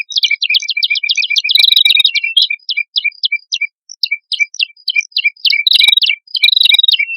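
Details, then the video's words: Male and female red-headed prinia singing hard, recorded as a bird lure: rapid trains of high chips over lower ticking notes, fast at first, then spaced, then rapid again. "Suara Prenjak Kepala Merah Jantan Dan Prenjak Kepala Merah Betina Gacor"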